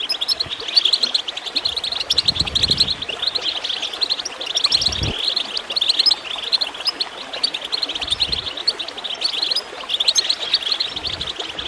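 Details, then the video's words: Goldfinch chirping used to encourage birds to sing: long, unbroken twittering of fast high notes and trills, backed by constant water gurgling and occasional low knocks. "Water gurgling with goldfinch chirping to encourage birds to song"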